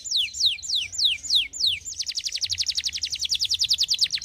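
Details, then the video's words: Canary song for encouraging other birds to sing: five clear whistled notes sliding sharply downward, about three a second, then a quick run into a dense, very high trill of rapid repeated notes. "kenari gacor cocok pancing bunyi burung bahan & macet bunyi"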